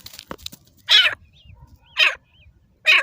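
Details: Grey francolin of the Deccani fighting type giving harsh, strident screeches about once a second, with faint higher squeaks between them and low background rumble.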